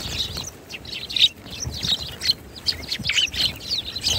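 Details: Several sparrows chattering together: dense, overlapping high chirps and tweets in quick irregular bursts, with faint low rumbles underneath.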